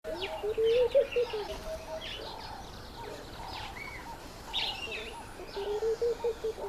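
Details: Laughing dove calling while trying to attract a female's attention: two short runs of low, bubbling coo notes rising and falling in quick succession, with scattered high chirps from other birds in the background.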